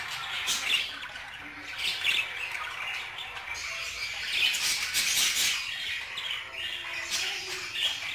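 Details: Budgerigar keeps up steady high warbling, mixing clicks, scratchy notes and short whistled chirps at an even volume throughout.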